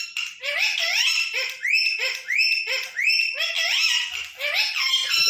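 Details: Pet green Indian ringneck parakeet talking: a run of shrill, nasal, giggle-like syllables, each sliding up then down with bright overtones, repeated roughly once a second, with a steady high-pitched hiss of chatter behind.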